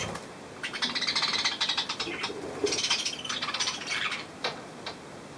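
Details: Three hand-tame cockatiels kept indoors, recorded 16 October 2023, give a busy run of short, high, scratchy chirps and chattering bursts over several seconds, with a faint low squeak in between and a quiet room around them.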